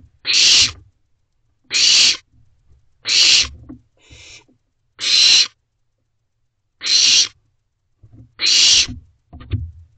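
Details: Young owls in a nest box around midnight, rasping hissed screeches of about half a second, spaced irregularly every one to two seconds, soft scuffling and thumps in the gaps.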